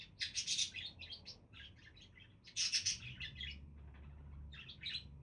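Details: Budgerigars give two dense bursts of bright, buzzy twittering, each tailing off into scattered chirps, then a last short flurry. A steady low hum runs underneath.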